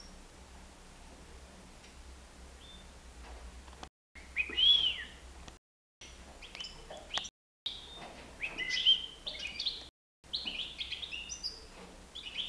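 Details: A nine-month-old European goldfinch flying free inside a living room gives scattered high twittering chirps and short trills in bursts, broken by brief silent gaps, over a low steady indoor hum.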